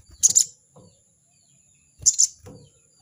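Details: Crested jay chattering 'crecet crecet' while calling out a rival: two short, harsh, high-pitched rasping bursts about two seconds apart, with faint low thumps in between.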